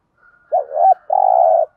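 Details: Spotted dove delivering one thúc gù coo: swooping double note followed by a long, rough, flat coo, with a faint soft note just before.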